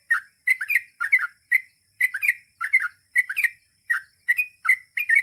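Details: Yellow-vented Bulbul (trucukan) in chatty, gacor song, giving a ropel-style sequence of bubbly, slurred two-note and three-note phrases, spaced a fraction of a second apart.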